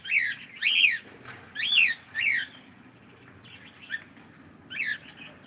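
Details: Pet cockatiel said to be saying good morning: loud, chattering bursts of rapidly warbling, rising-and-falling tones, about five phrases spaced irregularly around a second apart, in a quiet indoor setting.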